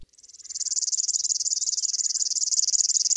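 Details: River warbler (Locustella fluviatilis) singing at dusk in central Russia; it is found by rivers but also in forest, gardens and parks. The song is a high, dry, insect-like buzz of rapid, even pulses, unbroken for over three seconds.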